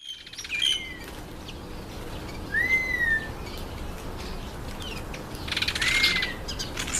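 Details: Red-winged starling eating an apple, giving three separate clear whistles spread over several seconds, each a smooth rising-then-falling slur, with a faint hiss in the background.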